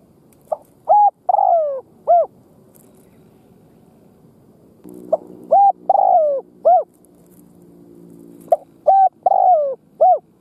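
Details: Spotted dove serving as a decoy, cooing to draw in wild doves. Three four-note phrases, each a quick lead note, a steady coo, a sliding drawn-out coo and an arched ending, with a low hum behind the middle phrase.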